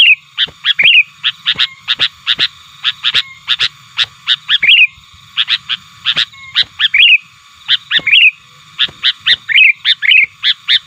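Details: Lure recording of a sooty-headed bulbul calling and pressing rivals. Short emphatic notes come in clusters of three to five, each cluster often ending in a brief slurred chirp, over eleven seconds of steady calling.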